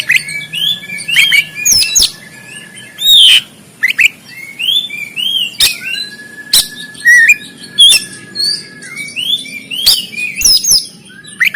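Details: Oriental magpie-robin (kacer) in 'konslet tarung' fighting song style, recorded on an Android phone in Banten, Indonesia: varied whistled phrases, rising and falling slurs, a long steady whistled tone held for seconds, interrupted by sharp harsh bursts.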